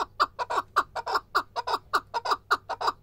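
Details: Male chukar partridge calling in a fast run of harsh, throaty chuck notes, often paired, roughly four to five per second, loud and steady throughout.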